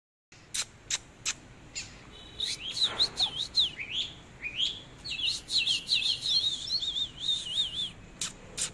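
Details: Oriental magpie-robin singing while dancing in display: sharp clicks and short harsh notes open, then fast wavy whistled warbles looping up and down, with bright trills running almost continuously through the second half.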